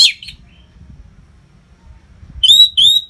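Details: Orange-headed thrush in full nonstop song, used for tutoring fighter birds: a sharp high phrase opens, then a pause, then two ringing warbled whistles close together at the end.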